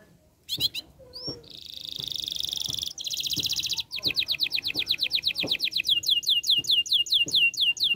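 A canary sings a bright, high song of varied tours: quick trills, a dense buzzy roll, then rapid repeated rising whistles several per second.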